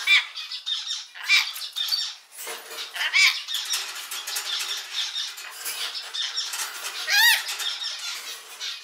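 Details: Pet rainbow lorikeets squawking and chattering while breaking up a fight and mimicking the owner's catchphrase: continuous harsh, raspy screeches and grating calls with a few clearer whistled notes and one loud rising-falling screech near the end.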